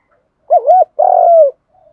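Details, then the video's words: One giọng đồng style calling phrase from a spotted dove: two smooth up-and-down hoots followed by a longer, grainy coo that slides gently downward, then silence. "cu gay giọng đồng gáy gọi"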